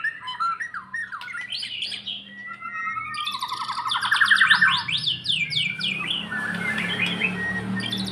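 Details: White-rumped shama, post-moult and building fighting spirit, sings forcefully: swooping whistles, fast rattling trills and harsh phrases, with a low background hum and faint music-like tones.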